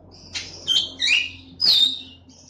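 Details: Black-winged myna (Acridotheres melanopterus) recorded Friday 28 September 2018, mimicking a cat: four scratchy, squeaky high phrases in quick bursts, one ending in a slurred, cat-like mew, over a faint low hum.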